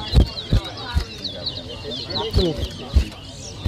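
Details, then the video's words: Towa towa song from a whistling competition, New Amsterdam, Berbice, Guyana, 2023: a continuous run of high, warbled whistles over loud dull knocks and background voices. "TOWA TOWA BIRD WHISTLING COMPETITION"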